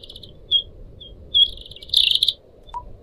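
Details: {'text': 'Pied Triller, a pet bird. Spaced high whistled notes build into a half-second buzzy pulsing trill, followed by one lower short note, over a gentle, continuous background murmur.'}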